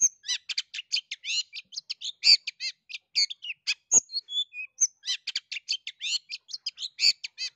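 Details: Long-tailed shrike song used to get a quiet bird singing: a continuous fast string of scratchy chips and harsh notes with a few thin whistles woven in.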